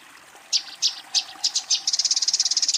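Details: Eurasian tree sparrow calling a rival during a fight: a few spaced, sharp high chirps, then a fast, even run of shrill chirps in quick succession.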